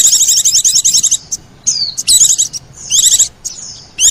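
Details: Lure recording of Oriental white-eye with sogon, used to attract birds: long rapid high trills, interrupted by drawn-out falling whistles, then another trill burst.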